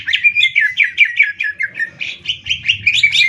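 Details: Greater green leafbird singing in a contest between a Banyuwangi and a Kalimantan bird, a rapid continuous run of bright chirped and whistled notes, several per second, varied and slurred, over faint low background rumble.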